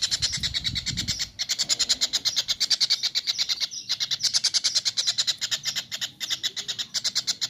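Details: Training recording of a kingfisher for cage birds. After a few low thumps, a dense run of harsh, rapid, repeated chattering notes follows, steady and evenly spaced, briefly interrupted once before the chatter resumes.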